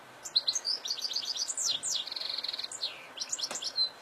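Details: Wild European goldfinch in open fields, singing a fast liquid run of twittering notes, slurred whistles and a short buzzy trill, all high-pitched and lively, over a soft hiss.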